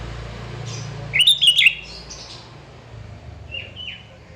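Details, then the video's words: Lively sooty-headed bulbul song meant to draw rivals into singing back: one brief burst of bubbly, warbling whistled notes, then a faint, softer answering phrase, over steady low background hum. "Kicauan Burung Kutilang Gacor Cocok untuk Panggil Lawan biar Ikut Ngoceh"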